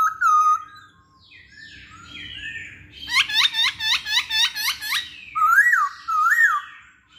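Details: Masked laughingthrush song used as a lure to get other laughingthrushes or songbirds singing; clear whistled notes open, then a rapid series of loud hooked notes about four per second, ending with two rising-falling whistles over faint low hum.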